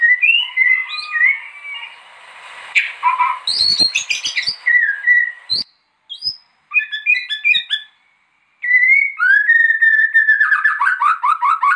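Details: White-rumped shama in full, vigorous song, used as a master recording for training other birds: rich varied phrases of clear whistles, rapid rising and falling notes, and dense trilled sequences, broken by short pauses.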